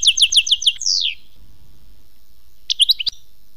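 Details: European goldfinch singing a song described as khmis melyana: a quick run of five bright, sharply down-slurred chirps, then a longer slurred buzzy note, a brief pause, and a short burst of high twittering notes.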